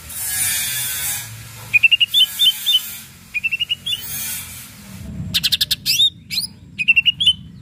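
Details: Greater green leafbird song used to provoke rival birds into answering: quick repeated trilled whistles in two runs, then a dense burst of ticks and bright slurred notes, with hissy background between phrases.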